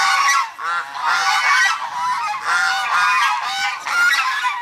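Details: A flock of swan geese, known as Chinese geese, honks continuously while being fed by locals in November 2021; loud, harsh, overlapping nasal calls with strong harmonics fill the whole recording.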